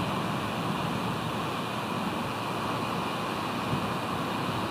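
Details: Steady broadband rush of wind and distant water, unchanging over several seconds, with no calls heard.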